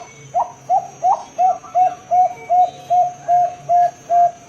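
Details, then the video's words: Perkutut, or zebra dove, of Bangkok stock, in the long-voice 'ngerot' singing style. About eleven rounded, mid-pitched coos follow one another at a steady rhythm, roughly every third of a second, with a faint low hum underneath. "𝗠𝗮𝘀𝘁𝗲𝗿𝗮𝗻 𝗣𝗲𝗿𝗸𝘂𝘁𝘂𝘁 𝗕𝗮𝗻𝗴𝗸𝗼𝗸 𝗡𝗴𝗲𝗿𝗼𝘁, 𝗣𝗲𝗿𝗸𝘂𝘁𝘂𝘁 𝗦𝘂𝗮𝗿𝗮 𝗣𝗮𝗻𝗷𝗮𝗻𝗴"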